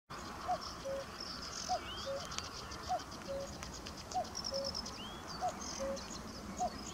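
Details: At RSPB Middleton Lakes on 20 May 2022, a common cuckoo repeats its soft, falling two-note 'cu-coo' about every 1.2 seconds, with twittering songbirds and faint chirps in the background.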